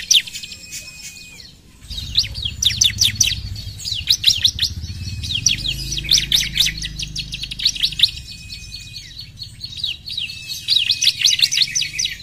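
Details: Bar-winged prinia (ciblek) giving repeated bursts of quick, high, slurred chips, interspersed with short steady whistled notes, over a low rumbling background noise.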